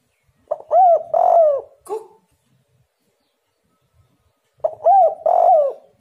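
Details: Spotted dove call played as a lure to make other doves answer: a phrase of low, hollow coos with arched, bouncing notes, a brief harsher note after it, then silence before the coo phrase starts again about four seconds later.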